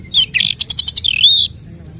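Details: Oriental magpie-robin fighting song, 'nembak' style, meant to stir up rival males; a dense two-second phrase of rapid rhythmic chattering notes ending in a long sustained high whistle.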